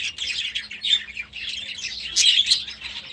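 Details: Young budgerigars in their new aviary during their first days there. A brief, dense wash of overlapping warbles and chirps, growing brighter toward the end.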